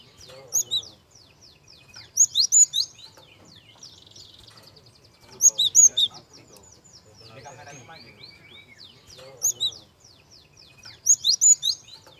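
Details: Java sparrow soft song played as a lure for young birds: clusters of piercing high chirps return every few seconds, separated by fine buzzy trills and scratchy twitters over a quiet, low background hum.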